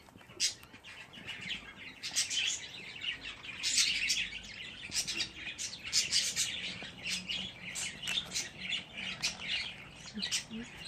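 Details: A long chorus from fifteen budgerigar chicks in one place: continuous rasping chirps and short squawks, overlapping and uneven, with louder clusters around the middle.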